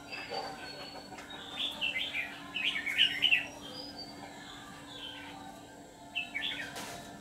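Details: Red-whiskered bulbul serving as a decoy in a bird trap sings several clustered phrases of quick, rolling chirps and slurred whistles, then pauses before one more brief note group, against a steady background hum.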